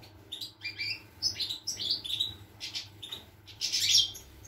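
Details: European goldfinch song from 25 August 2021: a lively sequence of quick rising whistles and chirps leading into a loud, buzzy, tinkling flourish, accompanied by a low steady electrical hum.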